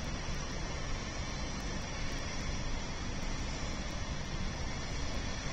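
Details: Constant broadband hiss and rumble from a falcon nest camera, with no animal calls.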